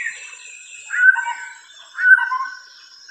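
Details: White-rumped shama singing clear, rich whistled phrases about once a second, each a bright sustained note dropping to a lower warbled tail, with softer high thin notes between phrases; quiet background.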